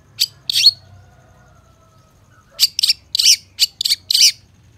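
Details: Training and lure song of a long-tailed shrike. Two harsh high notes, a pause of almost two seconds, then a burst of about six rasping, piercing chirps.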